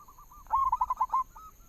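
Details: Lure song of a local zebra dove: a brief, loud string of five or six rapid, soft-edged coos that trails off into a fainter note.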